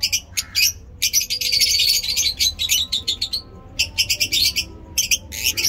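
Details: Lovebirds chirping in awesome weather in Peshawar, with busy bursts of shrill, rapid chattering notes broken by short pauses, the calls high and scratchy throughout.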